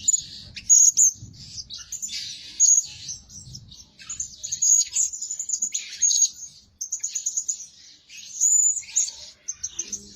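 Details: High, sharp, whistled squeaks from a blue-crowned hanging parrot kept as a lure bird that calls day and night, repeated in quick clusters with brief pauses between them.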